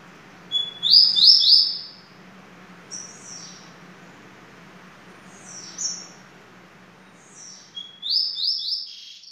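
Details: Double-collared seedeater song in three bursts: a rapid buzzy trill of upslurred notes, a couple of thin descending whistles, then another fast trill near the end, over a steady low hum.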